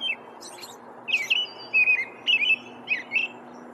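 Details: American robin singing in the wild: short, clear caroling phrases that rise and fall in quick bursts with brief pauses, over a faint steady low hum.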